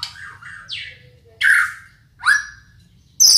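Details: White-rumped shama building its song: separate whistled phrases, some sliding and rising, spaced by short pauses, ending in a bright high burst.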